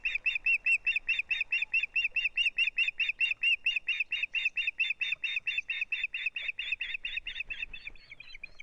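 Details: Osprey pair at the nest, 6 April 2017, the male coping with a big fish and the female, heard on a nest camera feed: loud, rapid, repeated high chirps in a long run that fades toward the end.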